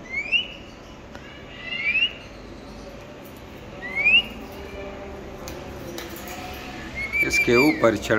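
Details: A lovebird in a home aviary gives three short, high, rising whistles about two seconds apart, then breaks into a brief harsh, chattering burst.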